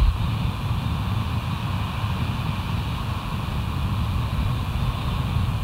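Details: Outdoor early-morning rumble of wind and distant engine noise, low and constant, with no animal calls.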